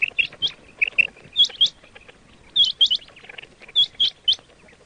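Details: Quail calls meant for hunters: paired and tripled high chirps, some sharply rising, delivered in bursts with gaps of about a second between groups.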